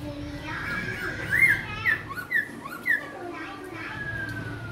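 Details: Young caged Black-throated laughingthrush from Cao Bằng, tail feathers just growing in, gives a short run of four loud, clear whistled notes with falling slurs, about half a second apart, over steady indoor murmur and voices.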